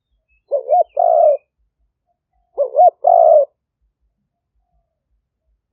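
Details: Decoy spotted dove luring wild doves, recorded live in Roi Et, Thailand, 2021; two clear phrases of paired looping notes and a longer grating coo about two seconds apart, with quiet gaps and faint distant chirps.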